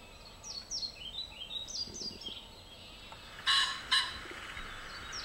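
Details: Male common pheasant giving a spring crow over a field in southern Sweden, 30 April: a loud, harsh two-note crow, notes half a second apart, over steady high descending chirps from smaller birds.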